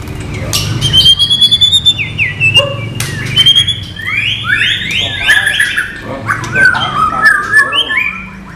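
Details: White-rumped shama song for training, non-gelembung style: varied whistled slurs and trills in quick succession over a low murmuring background.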